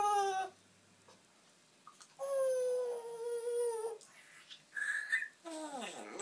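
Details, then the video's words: Household parrot chatting to himself indoors, giving long clear whistles with strong harmonics, one slowly falling over nearly two seconds, then a higher short note and a downward-sweeping whistle, over faint room hiss. "Talking parrot"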